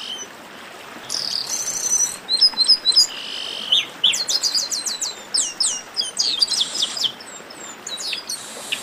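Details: Chestnut-capped blackbirds in a lively 'baderna' chorus, many high notes overlapping: clipped chirps, short descending whistles and quick trills pouring out almost continuously.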